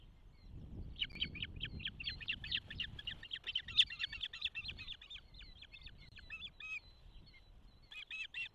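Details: Osprey at a nest near Charlo, Montana, during the first hatch on 12 June 2024, filmed by nest camera: long run of rapid, piercing whistled chirps repeated several times a second, pausing briefly and resuming, over low rumble.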